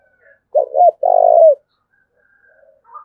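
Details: Spotted dove from Đồng Nai, Vietnam, giving its 'thúc bổi' call: two short rising coos followed by a longer, rolling, throaty coo that falls at the end, one phrase with faint background sounds.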